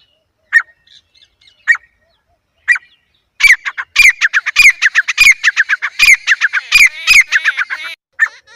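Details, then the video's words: Harsh grey francolin call sequence: three or four separate introductory notes about a second apart build into a fast, loud series of rhythmic rasping phrases lasting around four seconds, ending with a lone note. "Teetar ki awaaz"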